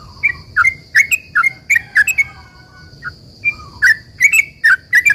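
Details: Sooty-headed bulbul in a long, busy song used as a lure to prompt other bulbuls to answer: clear chirps and short slurred whistles in quick clusters, a short pause midway, then more rapid notes.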